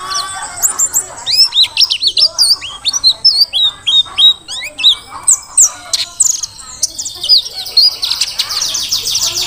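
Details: Vigorous song of a forest-caught Mountain white-eye from Merapi, Dakun type: a steady stream of high, sharply slurred chips repeated about twice a second, thickening into a shrill buzzy trill near the close.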